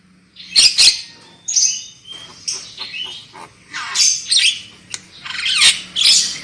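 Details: Javan myna lure recording to make birds sing loudly: harsh squawks open and close, with slurred whistles and buzzy rising and falling phrases in between.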